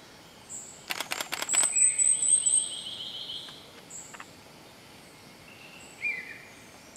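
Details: Female great hanging parrot (Loriculus stigmatus) at Tambun Conservation Area, Sulawesi, Indonesia, 9 August 2014, calling: thin, very high squeaky notes, a quick run of sharp clicks and a brief buzzy, rasping phrase.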